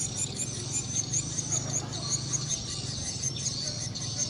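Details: Swiftlets returning at dusk (maghrib) into the night to a private swiftlet house in Indonesia: dense, high, thin chirping twitters, overlapping and repeated irregularly, with a low hum beneath.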